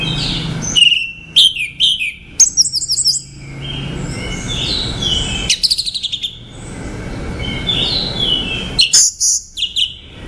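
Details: Orange-headed thrush singing energetically: successive phrases of fast, varied whistles and chirps with rising and falling slides, spaced by short pauses, over steady faint hiss.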